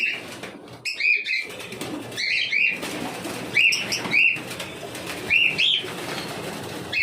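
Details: Repeated cockatiel calls, each a rising-then-falling chirp, often in pairs, recurring every second or so over a grainy, rustling background.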